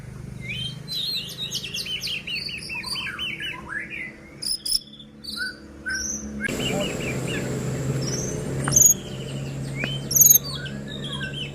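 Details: White-rumped shama singing, played to rouse other shamas into song and agitation: rapid descending chirps and whistled phrases, then scattered high notes over broadband hiss and a low hum.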